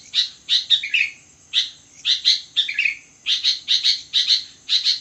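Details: Sooty-headed bulbul singing vigorously at midnight, mixing bright high chirps in pairs and triplets with two lower, falling slurred notes, separated by brief pauses.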